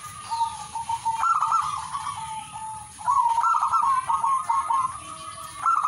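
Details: Singing zebra dove delivers long runs of rapid, bubbly cooing notes, mid-pitched and slightly wavering, in near-continuous phrases over a constant thin high-pitched hum.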